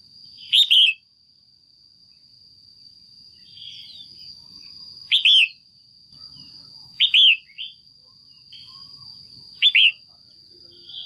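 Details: Female red-whiskered bulbul kept in a cage, calling to excite a male or to pair; short sharp whistled bursts repeated every two to three seconds, four in all, over a constant high electronic whine.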